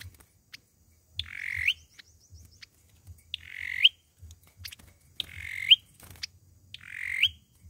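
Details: Fighting song of an olive-backed sunbird used as a trap lure: four coarse buzzy notes rising to a bright tip, with a faint rapid ticking series between the first two, over a low hum.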